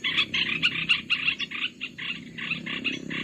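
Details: Olive-winged bulbul lure call used to attract birds for trapping: harsh, scratchy chattering bursts repeated rapidly, about three to four per second, with uneven loudness over a faint low background rumble.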